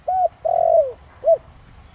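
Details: A single spotted dove phrase in the 'Thổ Đồng' voice style meant to lure wild doves: a short soft coo, a long downward-sliding coo, then a crisp short coo.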